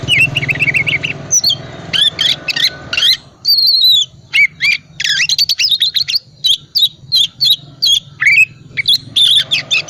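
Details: Oriental magpie-robin, calm 'cold' type, in full energetic song filled with varied notes, used to coax quiet magpie-robins into singing; rapid alternating whistles, chips and slurred phrases, with faint low hum at the start.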